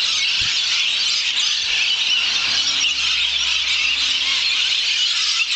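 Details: Hundreds of lorikeets arriving to roost in trees around 5:30pm in Maryborough, Queensland, make an extreme, dense, unbroken chorus of shrill screeching calls from many birds at once, with a faint low hum underneath.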